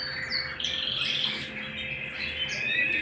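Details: Canary singing at home, a dense run of high warbled and trilled notes with short rising and falling whistles, overlapping busily throughout, with a steady low electrical hum beneath.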